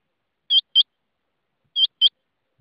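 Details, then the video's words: Rain quail with strong, ringing double notes, two crisp pairs separated by about a second of silence. "rain quail voice"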